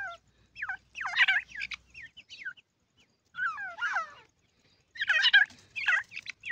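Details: High hooked chirps and rasping squeaks from playful francolin chicks, in three loose groups of overlapping notes with short quiet gaps.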